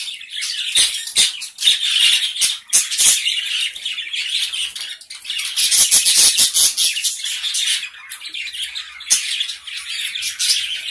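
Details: Small colony of gray Java sparrows giving dense, overlapping high chirps and chattering notes, with sharp clicking taps scattered throughout and brief quieter gaps near five and eight seconds.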